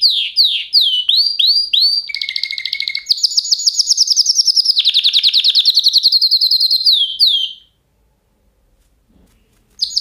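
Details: Canary singing repeated curved whistled notes, a low steady trill, then a long rapid high rattle that breaks into swooping slurs before falling silent, resuming briefly at the end.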